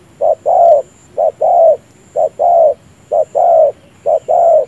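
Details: Spotted dove decoy for trapping, cooing with an unusual chest-down posture: four regular pairs of mellow coos, each a brief lead note followed by a fuller sustained note, roughly one pair per second, over quiet background.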